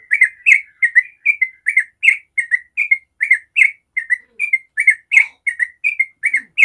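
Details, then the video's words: Yellow-vented bulbul, a vigorous singer used as a lure for other bulbuls, delivering a continuous string of short bubbling whistles, roughly three notes a second, evenly loud from start to finish. "Trucuk ropel panjang sangat jago bikin trucuk manapun langsung nyaut ropel"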